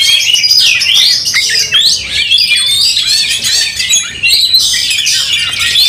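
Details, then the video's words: Fighting white-rumped shamas, agitated and aggressive with tails raised, pour out continuous loud high-pitched song of looping whistles, rapid trills and harsh chatter, voices overlapping throughout. "Kacer tarung bongkar emosi buka ekor dongkrak amarah bikin kacer lain tambah Garang"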